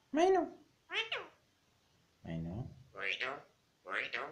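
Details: Mynah talking in Pashto: five short, voice-like harmonic utterances in about four seconds, each a rising-and-falling syllable with clear pauses between, with no other notable sounds.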